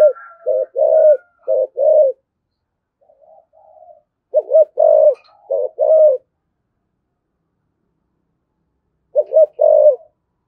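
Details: Spotted dove, 'thổ sấm' voice, cooing and calling: two clusters of quick coos with longer mellow notes, separated by a soft murmur and a long silence, then a final short burst of coos.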